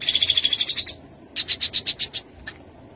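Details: Rufous-capped babbler singing: a rapid run of bright, high piping notes for about a second, a short pause, then a slower series of eight distinct chirps and a final single note, over a faint low background hum.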